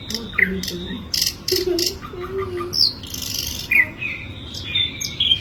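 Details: Asian brown flycatcher singing: after a low voice at the start, thin whistled notes and short buzzy slurs between two and six kilohertz-range pitch, some rising, scattered over several seconds with faint background murmur.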